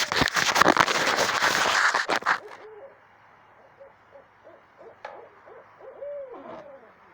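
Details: Owl calling at 2:30 am at night in south central Texas: soft, low hooting notes in a loose, quick series following a burst of loud rustling handling noise.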